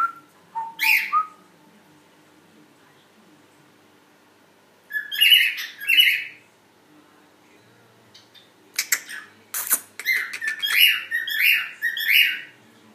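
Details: Cockatiel singing to its mate: scattered squeaky whistles and chirps, a long quiet gap, then a dense burst of clicks, chatters and squeaks, indoors.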